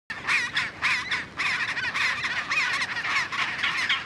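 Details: Chinstrap penguins in Antarctica give loud, harsh, braying calls in rapid overlapping bursts, roughly two a second, with a crowd of other calls beneath.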